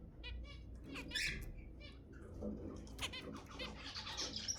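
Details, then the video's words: Bright, nasal zebra finch calls used to stimulate mating: short harmonic toots tumbling over one another, with a rising chattering wash toward the end. "تحفيز الزيبرا على التزاوج 10 دقائق من أصوات الزيبرا المحفزة"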